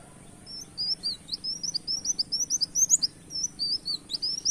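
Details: Brown-throated sunbird in vigorous canary-like song, the style called tembak kenarian, recorded as a bird-luring track: a rapid run of high, thin, sharply rising and falling notes, roughly four to five per second, over a faint low background hum.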